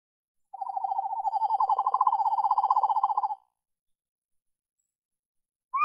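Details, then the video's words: A male Eastern Screech Owl, recorded in a backyard, gives its mating call: a steady, even-pitched trill of rapid, soft pulses lasting about three seconds; a brief higher note starts as the clip ends. "Eastern Screech Owl Mating Call"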